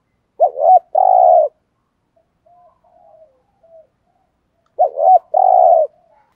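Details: Spotted dove kept as a lure bird, calling 'thúc gù' style: two well-separated phrases of a stammered short double note followed by a long, low rolling coo, quiet murmurs between.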